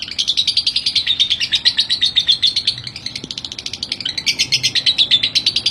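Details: Lovebird used as a training master, singing a continuous stream of scratchy, buzzy chirps at a quick, uneven pace, around three per second, loud and dense throughout.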